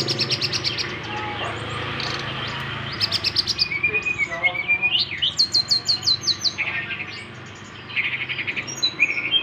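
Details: Brown-chested jungle flycatcher singing in the nyengklak style: loud varied phrases of rapid repeated high notes, buzzy trills and whistled rising slurs, broken by brief pauses, with a low steady hum beneath.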